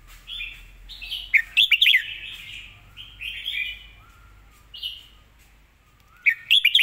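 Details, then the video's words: Caged red-whiskered bulbul: a run of clear whistled, slurred phrases broken by quick sharp warbling bursts, with a faint low hum underneath. "สำนวนดี"เดินเพลงชัด ปากไวเสียงชัด"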